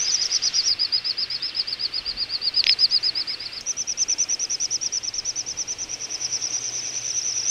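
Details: Little bustards from a wintering flock at Ag-Gol National Park, Azerbaijan, November 2014: a long run of fast, high, pulsed whistling notes that steps up in pitch partway through, with a second overlapping series and a brief burst near the middle.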